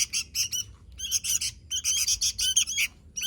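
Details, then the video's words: Sooty-headed bulbul in lively 'gacor' song: clipped bursts of shrill chirping and squeaky, chattering notes, grouped into short phrases roughly every half second with small pauses between them. "Suara Burung Kutilang Gacor"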